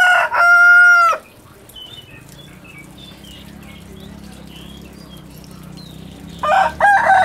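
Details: Competing roosters crow one after another. A long, steady crow ends, faint chirps of small birds fill a quiet gap of about five seconds, then a second harsh, broken crow begins.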